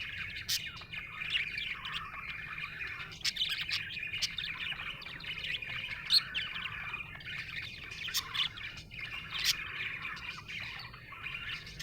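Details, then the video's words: Happy budgerigar chirping: a continuous, busy warble of high chattering notes with sharp clicks and brief louder squeaks scattered throughout, level and unbroken for the whole stretch. "Happy budgie chirping sound"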